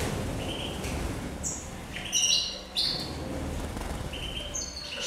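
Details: Mayor-type European goldfinches bathing and enjoying water, 23 November 2016: scattered brief, high, clear tweets and sharp chips, several close together around the middle, over a low steady background rumble.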